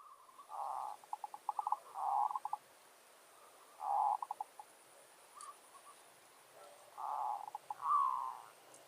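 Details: Zebra dove, a village bird used as a decoy to draw wild doves, gives a territorial challenge song: four phrases of rolling, mid-pitched coos over nine seconds, linked by quick staccato clicks, with a faint steady hiss behind.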